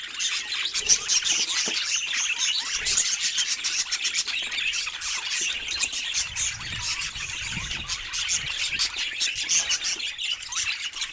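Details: Budgerigar kept as a pet, chattering steadily in a dense stream of scratchy squawks, clicks and shrill chirps that continues without a pause, busy and uneven throughout.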